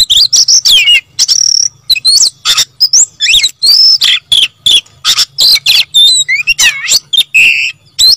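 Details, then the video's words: Oriental magpie-robin singing nonstop: a fast jumble of whistles, slurred swoops, trills and chattering notes with barely a pause, including warbled looping phrases. "BURUNG KACER GACOR NGOTOT"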